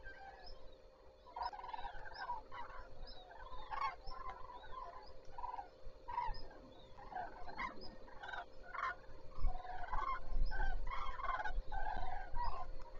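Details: Many common cranes calling at dawn on Zastawie reservoir, 14 September 2023: a dense chorus of rolling trumpet-like calls, rising and falling in waves, louder toward the end, with low rumbling background noise.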